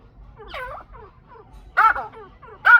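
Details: From a Chukar partridge pair come a few throaty, looping notes, quiet at first, then two loud, bright bursts near the end, with brief gaps between them in a quiet setting.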